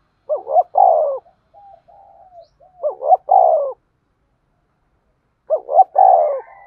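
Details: Spotted dove used as a lure bird for trapping, giving three low mellow coo phrases about two and a half seconds apart, each a quick two-note rise then a longer falling coo, with soft murmured notes between.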